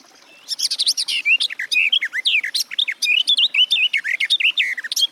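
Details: Garden warbler (Sylvia borin) singing: a long, continuous, rapid warble of mellow, varied notes, some rising and some falling, running unbroken for about four and a half seconds.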